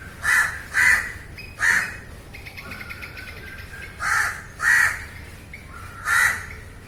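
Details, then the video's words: Field recording of a crow giving harsh, grating caws, three then a pause filled by fainter whistled and chattering bird calls, then three more caws. "烏鴉叫聲 烏鴉呱呱叫👂烏鴉聲音效 現場錄音👍Crow Calling"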